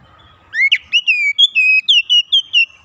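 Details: Oriental magpie-robin, a raw newly kept bird, singing busily and showing off its learned repertoire: a rising whistle, then a run of about nine short, clear, slurred whistled notes in quick succession, high-pitched, with faint low background rumble.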